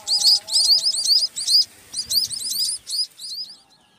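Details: A 4-day-old munia (bondol) chick that fell from its nest gives high, thin, rapid chirps in quick bursts, about two to three per second, over a faint steady hum.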